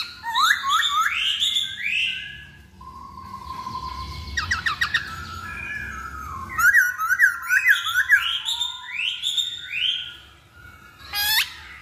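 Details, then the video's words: Masked laughingthrush song used as a lure recording: loud upslurred whistles and rapid buzzy rattles, then a run of repeated rising notes and a final sharp high sweep, with faint low room hum. "Pancingan Poksay Hongkong"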